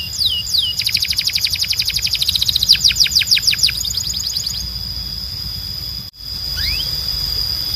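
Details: Timbrado canary training song: two curved whistles, then a long fast trill of repeated notes rising into louder swooping sweeps before fading, with a lone rising whistle after a short gap.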